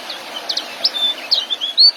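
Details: Young white-eye singing, recorded as training material for caged birds; thin, high whistled chirps and short sliding notes in a quick irregular series, ending with a longer clear whistle, over a soft steady background hiss.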